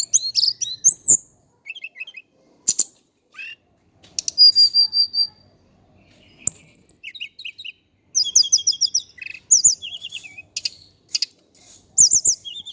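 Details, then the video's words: Varied twittering of an Indigo flycatcher, called tledekan gunung in Java: bright slurred notes, short trills and steady whistles, building to dense bursts of quick high chirps. "KICAU BURUNG TLEDEKAN GUNUNG JAWA/SIKATAN CACING"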